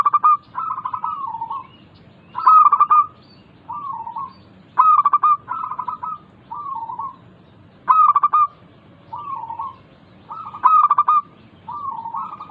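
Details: Zebra dove of the local type singing to stir idle birds into song. Phrases repeat about every two seconds, each a stuttered run of sharp clipped notes and a rolling purr, alternating with softer trilled coos.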